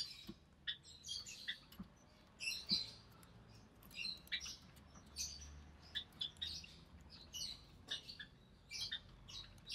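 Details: Caged budgerigar chick, recessive pied, born early June 2020, while the mother feeds it; steady series of short high squeaky chirps with clicks and light tapping.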